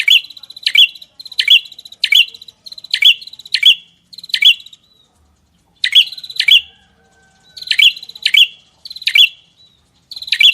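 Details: Songbird training recording: emphatic rising chirps with buzzy edges come in quick runs, break off for about a second, then return in the same sharp, bright pattern.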